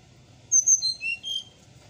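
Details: Brown-chested jungle flycatcher singing in the morning: a brief run of clear, high whistled notes, each pitched lower than the last, over a faint low murmur.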